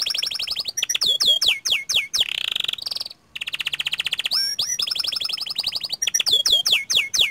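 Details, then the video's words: Lively panda canary song with rolls and long high bursts: repeated descending whistled slurs, a brief pause, then a long fine trill followed by more swept notes. "Suara Kicau Kenari PANDA Gacor Ngerol Nembak Panjang"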